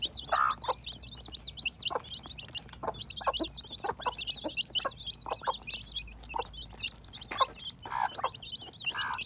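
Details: Newly hatching baby chicks in spring 2021: a dense chorus of high, rapid, rising-falling peeps runs nonstop, broken by short lower clucking notes near the start and end.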